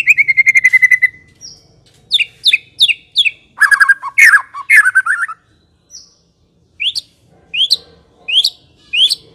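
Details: White-rumped shama, Medan type, as lure song: a steady whistled trill, sharp high repeated notes, harsh rattling and slurred phrases, then a slow series of high upswept whistles.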